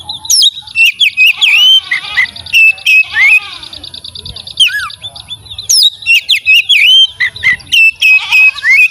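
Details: Oriental magpie-robin singing melodiously: a loud, continuous flow of varied high whistles, sweeping slurs and rapid chattering notes, with a steady thin high tone and faint low rumble beneath.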